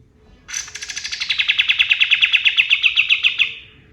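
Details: Male kapas tembak white-eye singing at dawn in native forest: one dense three-second trill of sharp staccato notes, opening high and settling lower, steady and rapid throughout.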